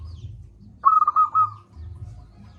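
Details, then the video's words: Local zebra dove, a loud-voiced singer used as a master lure for lazy doves, gives one brisk phrase: a sharp opening note then four quick, even, mellow coos, over a faint low rumble. "Perkutut lokal gacor suara besar - Masteran Ampuh Mengatasi perkutut Malas bunyi."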